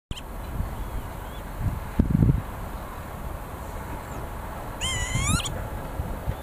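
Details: A single wheezy, slurred Northern lapwing call near the end, rising and bending in pitch, in Bucharest, Romania, over steady low wind rumble and a couple of dull knocks.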